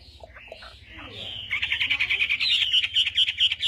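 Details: Chinese hwamei during morning voice practice: faint, soft whistles at first, then a loud, rapid, rattling trill of high notes repeated many times per second until the end.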